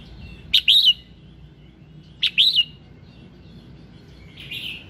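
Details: Red-whiskered bulbul singing at dawn, used to encourage caged birds to sing: two loud, bright warbled phrases about a second and a half apart, each a quick chirp followed by a looping whistle, then a softer note.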